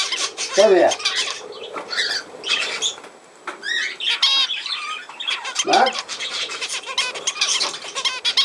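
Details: Budgerigar kept as a pet indoors, chattering in rapid bursts of squeaky chirps and clicks with short gaps, interrupted by two short spoken words from a person.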